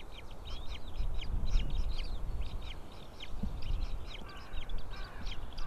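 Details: White-tailed eagle nest, female feeding three newly hatched eaglets, 20 April 2016. Rapid short, high chipping notes come in a dense stream, several per second, over low rustling and bumping sounds.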